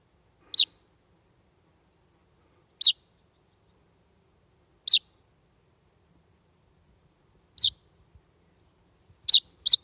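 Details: Chaffinch fledgling calling at dusk, about 20:30 on 16 July 2020, on a doorstep under ferns, its parents absent: six brief, piercing, descending chirps, most about two seconds apart, the last two in quick succession, otherwise quiet.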